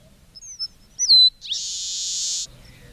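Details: Song of a red-breasted meadowlark: faint high whistles lead into a clearer slurred note and end in a prolonged, dry, buzzy wheeze near one second long. The setting is otherwise quiet.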